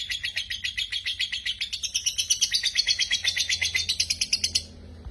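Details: Lovebird song used to coax lazy lovebirds into singing: a rapid, high, buzzy chattering trill of quick repeated notes that runs for about four and a half seconds, then stops abruptly.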